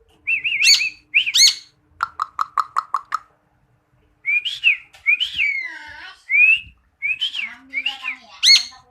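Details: Caged black starling kept by a Koran teacher, mimicking other birds and human speech: looping whistled phrases, a rapid series of six sharp clicks, then gliding, warbled and wavering notes with short pauses between.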